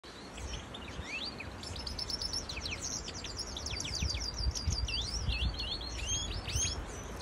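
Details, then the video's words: European goldfinch singing alongside a canary in an aviary: a fast, continuous tumble of tinkling, twittering high notes and quick slurred whistles, over a steady low rumble. "Carduelis Singing and Canary Singing"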